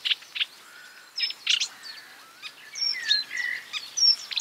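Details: Marsh warbler imitating other birds, a scattered mix of buzzy chirps, drawn-out whistles that slide up and down, and sharp high squeaks, somewhat softer and more spaced.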